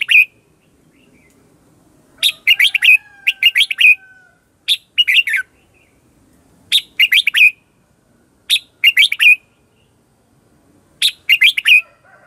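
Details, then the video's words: Red-whiskered bulbul lure song meant to attract wild birds and spur singing: bright, chirpy phrases of several quick whistled notes, repeated about every one and a half to two seconds against a quiet background. "Cách luyện chào mào mồi - Gọi Bổi Ché Chéc Căng Đét"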